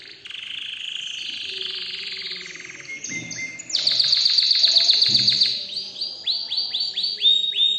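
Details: An excited canary sings a varied phrase. A smooth high warble leads into a loud rapid trill of evenly spaced pulses, then a string of bright upswept whistled notes repeated about every third of a second.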